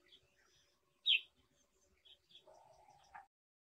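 Brown Shrike: one sharp, high, harsh note, two brief thin chirps, then a lower, grating chatter lasting under a second, with quiet surroundings.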